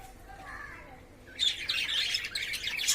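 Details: Caged lovebirds, courting and playing; a quiet, low murmur at first gives way after about a second and a half to a sudden flurry of sharp, high chirps.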